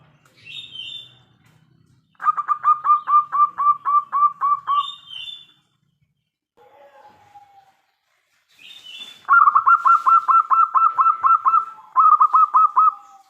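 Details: Local zebra dove with a big voice, singing to prompt other doves to reply. It gives long runs of fast, even, pulsed coos, broken by a pause, with a few higher squeaky notes from other birds between phrases.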